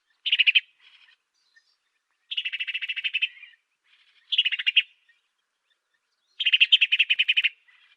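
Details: Master song of an African sparrow for teaching songbirds. Four buzzy chirp series alternate between short bursts and longer rattles of about a second. The pauses between them are quiet.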